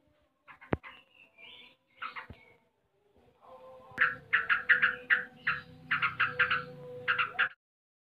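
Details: Yellow-vented bulbul (trucuk) in the ngebren style, a 'tembakan' burst: a few scattered notes and clicks, then about four seconds of rapid, loud chattering bursts repeated in quick succession.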